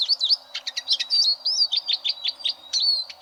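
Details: Eurasian siskin singing, recorded as tutor material for contest canaries: fast, high twittering notes interleaved with short slurred whistles, in steady bursts about three per second.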